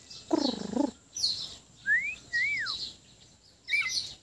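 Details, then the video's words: White-rumped shama from Sabah, Borneo, singing in a relaxed mood: a low buzzy harmonic burst, then thin high notes, a rising whistled slur, an arched falling whistle and sharp high chips at the end, separated by short pauses. "Kicauan murai batu Sabah"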